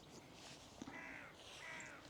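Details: Crow flying across the sky over English countryside on a sunny summer morning at sunrise, giving two drawn-out hoarse caws about half a second apart, faint behind a steady outdoor hiss.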